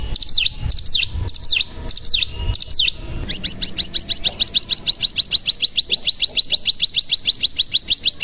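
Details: Mountain tailorbird (cigun) lure mixed with natural 'bren' trills: a few high V-shaped swooping whistles, then a long fast run of rising notes, roughly five per second.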